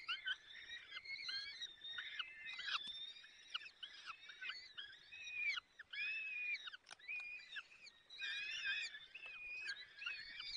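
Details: Peregrine falcon chicks at their nest in the Barycz Valley on 30 April 2020, 14:28, woken as the male tears prey to feed them. Dense overlapping squealing, wavering whistles, rising and falling in rapid bursts without pause.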